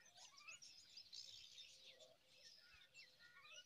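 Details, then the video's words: Five baby mynas at the nest being fed date fruit, producing continuous scratchy, hissing begging rasps with short rising chirps and a few lower whistled notes woven through. "Beautiful Myna feeding date fruit to little five babies"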